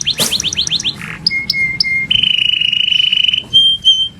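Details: Canary song in master style, said to call friends and fight: quick series of rising notes, a soft buzz, thin flat whistles, then a long pulsed trill and short high whistles.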